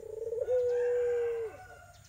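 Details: Barbary dove, irak/tangerine type, used to coax a silent dove to call: a long sustained coo, rough at first, then smooth and level, dropping away at the close.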